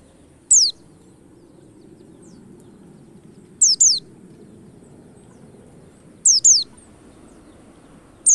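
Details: White-eye lure calls: single and double thin, sharply falling high whistles spaced roughly three seconds apart, against a soft broad background murmur.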